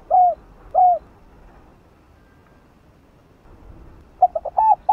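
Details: Spotted dove decoy bird's cooing in the chiêu 3 hậu style, used to stir a newly caught caged dove into cooing: two soft downslurred coos at the start, a long quiet gap, then a cluster of short coos near the end.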